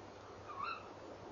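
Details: Tawny owl female at the nest box entrance area at night in December 2013, calling before flying off; one brief upward-sliding call with a hoarse edge, steady hum behind.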